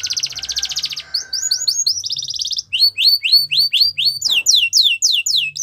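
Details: Yorkshire canary singing as training material for young birds: a buzzy rapid rolling trill, then chains of rising whistled notes repeated several times per second, ending in quick high upward sweeps.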